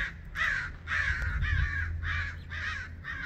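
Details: Harsh, drawn-out caws from crows dive-bombing a red-shouldered hawk to drive her away. About six rough, nasal calls in just over three seconds, some longer than others, with a steady low hum underneath.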